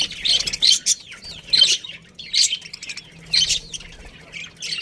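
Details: Colony budgerigars from a breeding pair give short scratchy chirp bursts, about one per second, with faint warbling between them.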